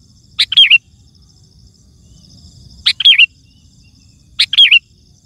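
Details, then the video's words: Kutilang (sooty-headed bulbul) singing loudly to draw in wild birds: three identical short phrases, a sharp chip leading into a bubbly downslurred whistle, spaced roughly two seconds apart. "Suara Burung Kutilang Gacor❗ Lantang Bikin Gacor Kutilang Lain"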